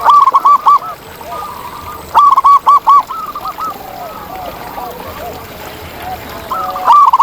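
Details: Wild zebra dove, known locally as perkutut, singing in nature: loud bursts of four or five clear cooing notes, then softer, lower coos in between, the loud phrase returning near the end.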